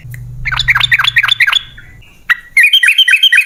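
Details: Sooty-headed bulbul lure song to prompt caged birds to answer: a fast burst of bubbly, downslurred chirps, a brief pause, then a lively run of sweet whistled notes over a low hum at the start.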